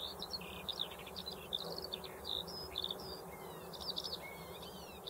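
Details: Eurasian skylark delivering a continuous, fairly faint, high twittering warble of quick chirps and short slurred whistles over a steady low background rumble.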